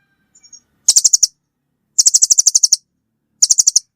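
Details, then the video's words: Three bursts of rapid, piercing chit notes from a velvet-fronted nuthatch, the middle burst longest at about ten notes, preceded by a few soft faint chips. "suara burung rambatan paruh merah"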